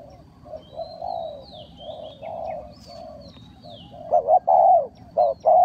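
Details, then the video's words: Spotted dove lure call for trapping wild doves. Soft, drawn-out coos at first give way to loud, throaty arched notes near the end, with thin whistling calls of another bird overhead. "Tiếng chim cu gáy mồi chuẩn gáy gọi cực hay"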